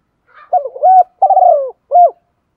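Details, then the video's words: Spotted dove used as a decoy, calling in the morning: a faint high note, then a mellow coo phrase of rising tone, rolling wavering coo drifting downward, and a clipped final coo. "Chim cu gáy mồi gáy gọi buổi sáng, kích bổi nghe rất xiêng gáy"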